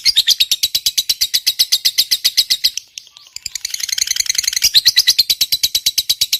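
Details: Lovebird delivering a long ngekek trill to provoke other birds: rapid shrill chattering that fades briefly near the middle, returns as a buzzier rising stretch, then resumes the quick regular notes.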